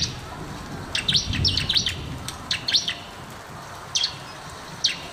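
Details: Bar-winged prinia, called ciblek, in a master recording meant to coax reluctant birds into song; short high metallic chips in clustered bursts, then single spaced notes, with low rumbling background noise.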